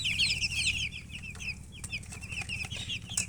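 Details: Chicks chirping loudly: rapid clusters of bright, high, slurred peeps, about three per second, strongest at the start, over a low mechanical hum.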